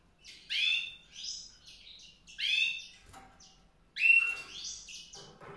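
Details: White-rumped seedeater singing clipped, high chirping phrases with rising sweeps, three bursts a couple of seconds apart, in a quiet setting.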